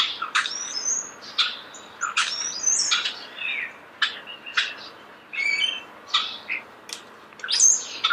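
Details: Natural starling song recorded close: sharp clicks and short high whistled notes come in quick, uneven bursts, broken by brief pauses.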